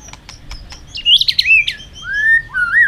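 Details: Fighting song from a white-rumped shama, played to excite wild-caught birds: faint ticks, then a quick cluster of high twittering notes and two long, smooth rising-and-falling whistles.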